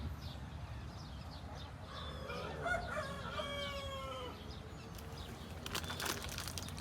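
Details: A rooster crows beside a small farm's reservoir while a family fishes with a bamboo rod: one drawn-out, harmonic crow of about two seconds that falls in pitch at the end, over steady outdoor background noise.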